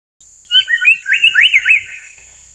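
An Amur paradise flycatcher gives a quick burst of about seven sharp, slurred chirps in just over a second. A thin, steady high hum runs underneath.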